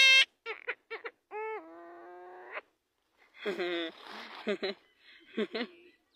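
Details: Javan myna imitating human speech; sharp clicks and short notes, then a long flat nasal tone, followed by harsh scratchy phrases and brief voice-like syllables with silent gaps.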